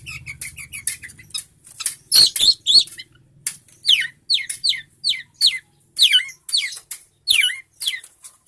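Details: Long-tailed shrike in full song, recorded for songbird tutoring. Scratchy high notes lead into a regular series of rising-then-falling slurred whistles, about two per second. A low hum sounds at the start.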